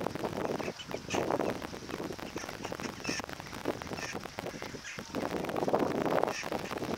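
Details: Water rail (Rallus aquaticus) on the Bytomka river, Zabrze, on 1 February 2015, giving a steady run of harsh, grunting, pig-like squeals with brief higher squeaky notes breaking through.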